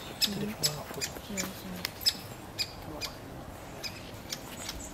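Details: A pre-fledged great spotted woodpecker chick gives sharp, high, squeaky begging calls about twice a second while its parent feeds it. A person talks quietly in the background.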